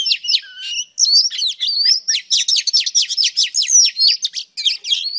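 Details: Female oriental magpie-robin singing to excite males: rich, varied whistled phrases with a low sliding note near the start, then a dense run of quick, sharp downslurred notes and twittering, loud and clean.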